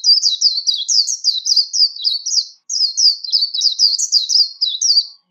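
A warbling white-eye sings two long bursts of high, fast, twittering notes, each about two and a half seconds long, in an otherwise quiet setting.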